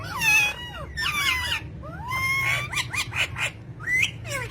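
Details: Pet parrots calling in a run of harsh, harmonic-rich screeches and bending whistled notes, several short squawks clustered together, with a faint hum behind.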